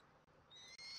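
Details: A Bald Eagle chick at a Southwest Florida nest, at supper on 13 January 2024, gives a thin, high, whistled peep that swells in the final half-second, over faint background hiss.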